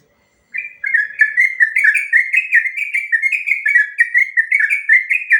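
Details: Yellow-vented bulbul's extended ropel song, played to make other trucukan answer: after a short silence, a steady torrent of quick warbled whistles runs without pause for nearly five seconds.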